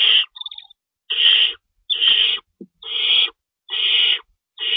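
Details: Owls at the nest in the early hours of 25 March 2012, at feeding time, with an adult shredding one of two stored rabbits. Broad, scratchy hissing screeches recur about once a second, with a brief faint whistle near the start.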